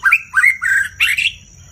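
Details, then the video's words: White-rumped shama (Copsychus malabaricus) singing with many voices: four quick, rich, slightly harsh phrases that slur and warble at mid-high pitch, over a faint, steady high whine. "kích chòe lửa hót, nhiều giọng"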